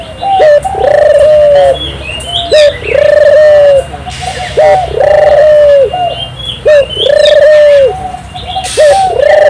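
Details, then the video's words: Turtle dove singing hard, used to encourage local doves to sing: regular phrases about every two seconds, each a quick short note then a sustained even coo, with faint chirps from other small birds behind. "suara burung puter gacor, merangsang burung puter lokal ikut gacor"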